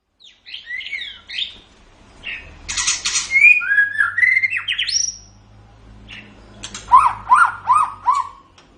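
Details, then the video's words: White-rumped shama (murai batu), a kept songbird, used as a masteran tutor recording: varied bursts of whistled and slurred notes, rising sweeps near the middle, harsh buzzy bursts, then a rapid series of short bright phrases. "Suara Burung Murai Batu"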